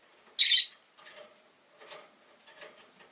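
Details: Rosy-faced lovebird, one of five caged indoors by a window, with an orange face and green body, giving a single loud shrill harsh chirp followed by faint softer chatter.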